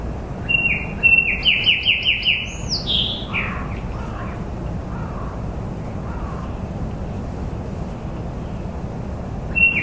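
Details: Bird song in the open: a burst of rapid descending chirps and high swooping whistles in the first three seconds, then softer scattered calls fading into a steady low background rumble, with one short note at the end.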